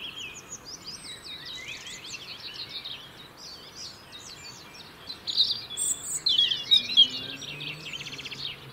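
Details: European robin song from the UK, where the birds sing year-round to hold winter territories: high, thin, varied warbling phrases with quick slurred notes, growing louder and more trilled toward the end.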